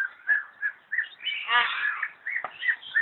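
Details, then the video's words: Myna at a zoological garden in Kolkata, India, giving short whistled notes around the upper mid range, interspersed with a longer harsh, buzzy burst near the middle and a sharp click toward the end. "Myna Bird at Zoological Garden ,Kolkata,India"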